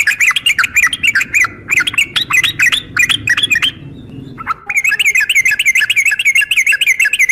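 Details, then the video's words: Female sooty-headed bulbul calling to provoke males to answer, in the style known as uplik tarung. Rapid bright chirping notes repeat in dense bursts, break briefly near four seconds, then resume as a fast unbroken run. "trucukan gacor SUARA UPLIK TARUNG"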